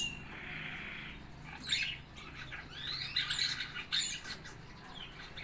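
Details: A four-month-old fig bird, learning to sing, gives a run of thin, high chirps and short rising twitters in uneven bursts, with quieter scratchy notes between them and a soft background hiss.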